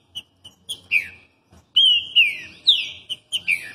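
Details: Trinca-ferro, or green-winged saltator, in Rio de Janeiro, Brazil: a few short clipped notes, then a rich run of loud slurred whistles that rise and fall in arcs, ending in quick chirps.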